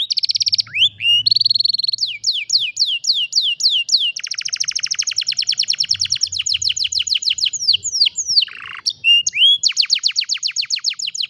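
Canary in full song: rapid rolling trills and repeated downslurred chirps, high and bright, delivered in long unbroken phrases with a faint low hum beneath.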